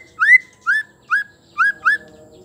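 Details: Five clear, rising whistled notes from a female white-rumped shama, about two per second, over a faint low hum; the female's voice is used to lure male shamas into singing.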